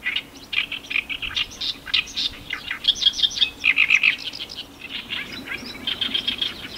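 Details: Several Oriental reed warblers in Iwakuni, Hiroshima, 18 May 2021, giving loud, continuous chattering song of harsh repeated notes and squeaky syllables, rapid and uneven throughout, over a faint low hum.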